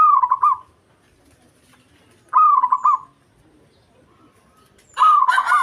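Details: Local zebra dove singing to provoke a rival: two rolling cooing phrases with hooked, stuttering notes about two seconds apart, then a loud harsh, raspy call at the end.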